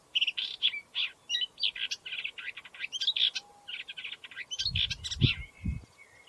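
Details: Upcher's warbler singing a continuous scratchy, chattering warble of short buzzy and whistled phrases at a fairly high pitch, with a few deep thumps of handling or wind near the end.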